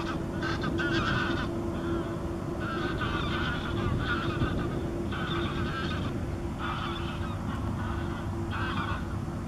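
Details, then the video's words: A first-winter American herring gull at Campbeltown, Argyll, Scotland, 3 March 2014, gives harsh, nasal calls in roughly one-second bursts every one to two seconds over a steady low wind rumble. "American Herring Gull"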